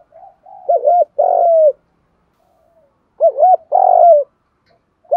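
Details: Decoy spotted dove used to provoke rival doves to fight, giving deep coos: a soft lead-in, two short curved notes and a long falling coo, two full phrases about two and a half seconds apart.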